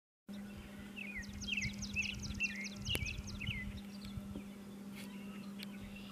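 A Virginia rail gives a quick run of about nine sharp, metallic double notes, 'kid-ick', over a steady low hum and one loud click.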